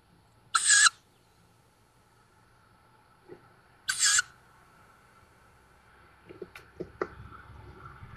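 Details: Fledged young tawny owls at a woodland nest near Szokolya, Hungary, on 7 May 2022, give two harsh, hissing wheezes about three seconds apart, each under half a second long; faint clicks and rustles follow.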